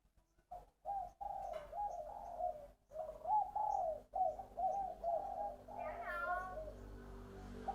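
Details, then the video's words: Spotted dove singing in the cooing style locally called '3 ròng giọng đồng': a series of low, mellow coo notes repeated in uneven groups, with a brief higher chattering sound near the end and faint room noise. "Tiếng chim cu gáy 3 ròng giọng đồng"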